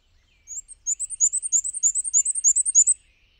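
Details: Black-and-white Warbler flying from perch to perch in patchy sunlight, singing a thin, very high, squeaky wee-see series of about a dozen paired notes, repeated rapidly like a squeaky wheel, lasting under three seconds.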